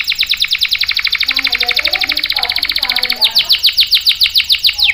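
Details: Domestic canary singing energetically, used to lure and tutor young or non-singing males: a rapid trill of sharp repeated notes, about eight per second, switching after three seconds to quicker, brighter downsweeping notes; a faint low murmur underneath midway.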